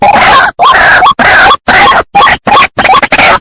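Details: White-breasted waterhen lure played from a phone to draw birds in: a rapid run of loud, harsh, nasal croaks, about eight bursts in just over three seconds, each cut off by short silences.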